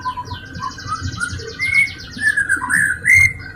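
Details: White-rumped shama song as a lure to trigger other shamas: a rapid high trill running above rich warbled whistles that rise and fall, ending in strong clear notes.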